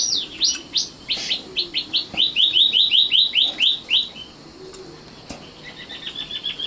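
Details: Common nightingale, a young 'matal' bird, singing a long run of sharp descending notes that speeds up into an even, rhythmic series, then falls quiet before faint high ticking notes.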